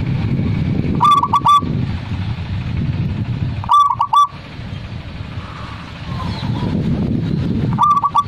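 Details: Zebra dove song repeated three times, each burst a rapid string of three to four clipped cooing notes, spaced roughly three seconds apart, with continuous low rumbling noise behind.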